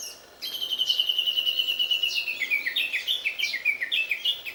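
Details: Japanese bush warbler hidden among mulberry leaves, unseen while singing: a long, clear, steady whistle drifting slightly lower for about two seconds, then breaking into quick repeated downslurred notes, loud and close against a quiet background.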